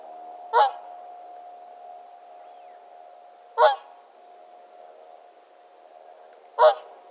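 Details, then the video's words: Whooper swan (Cygnus cygnus) gives three short, brassy honks spaced about three seconds apart, over a steady low hum. "Лебедь-кликун - Куркулдак ак-куу"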